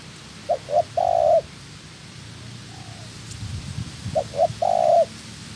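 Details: Trapping decoy spotted dove in training, a second wild-caught female present. Two coo phrases of quick short notes and a long level rolling coo. A faint soft coo and a low rumble fall between them.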